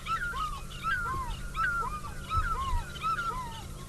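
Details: An African fish eagle at Chitwa Dam on an African safari gives a ringing series of loud, yelping notes that fall in pitch, repeated quickly over several seconds. Egyptian geese are honking on the dam banks, with a low background rumble.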